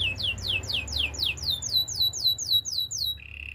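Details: Rhythmic downward-whistled notes, about four per second, from a Spanish timbrado canary singing for training, finishing on a flat even trill.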